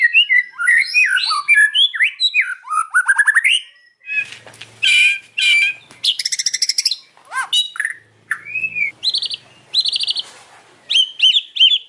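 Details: In the afternoon a white-rumped shama delivers varied song: tumbling whistled notes, then sharp buzzy bursts and quick rattling trills alternating with clear high whistles, with faint wingbeats in places.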